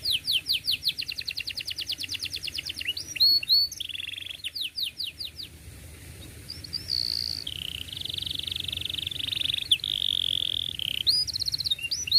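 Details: Canary singing as a model for young canaries: long run of rapid descending chirps, swooping whistles, a lengthy held rolling trill at shifting pitches, and fresh chirp bursts at the end.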